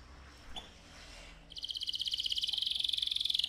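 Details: Canary singing to excite the male and prepare the female for breeding: after a quiet start with one faint chip, a sustained fast rolling trill begins and grows steadily louder.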